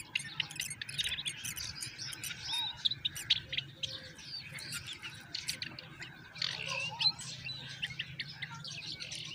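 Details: Common myna chicks being fed moringa by their mother give bursts of rasping, high-pitched chirps and squeaks, pausing briefly and then resuming in loud clusters over a low steady hum.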